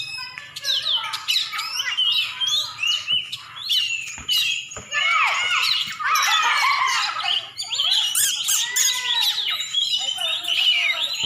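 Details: Oriental magpie-robin, champion bird from Aceh, singing a long varied sequence of squeaky whistles, harsh squawking notes and rapid downward slurs, building to a dense busy passage.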